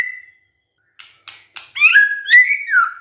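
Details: Gacor song from a white-rumped shama: a short whistle, a few dry rasping bursts, then rich warbled whistles that rise and fall.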